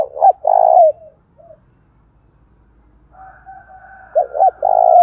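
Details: Spotted dove cooing to challenge a rival male, in the Đồng Thổ voice style. Loud looped coos and a sustained hollow note open and close the passage. A quieter, thinner coo line runs faintly between them.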